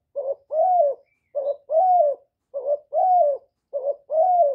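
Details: Spotted dove decoy giving its urging crow to stimulate other doves. Four evenly spaced phrases, each a short low coo followed by a longer rising-then-falling hoot, repeat about every 1.2 seconds in silence.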